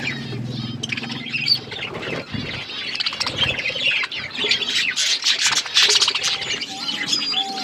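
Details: Budgerigars eating food, a flock chattering with busy, warbling chirps and squawks, overlapping trills and short whistled notes, with a few low thuds early on.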